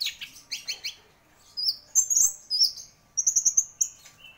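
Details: Champion orange-headed thrush singing quick repeated chirps, then a sweeping whistled phrase and a fast trill of bright high notes.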